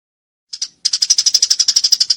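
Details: Eurasian tree sparrow in a fight, described as clear-voiced: a short chirp, a brief pause, then a fast run of sharp, high chirps repeated about seven times per second with no other sounds.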